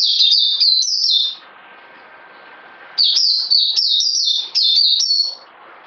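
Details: Quick strings of clear, high, falling whistles from a bird, a first burst of about five notes, a pause of nearly two seconds, then a longer run of about eight notes.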